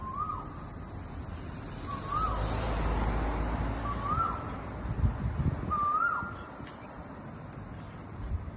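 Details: Noisy koel calling at Mount Sophia Road: four clear rising whistled notes, each sweeping upward and repeated about every one and a half to two seconds, over a steady low rumble of traffic.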